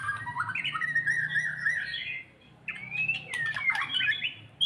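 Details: White-rumped shama after moulting, being brought gradually into fighting mood, delivers varied song: rich slurred whistles and warbled phrases around the middle range, a short pause, then sharp rising notes and chattering bursts, over a low background hum.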